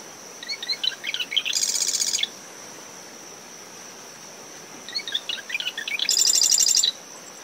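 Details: Marsh wren singing at dawn from dune shrubs around its nest after tropical depression Claudette: two songs, each a run of stuttering mid-pitched notes ending in a dense, high buzzy rattle, over a steady cricket trill, wind and waves.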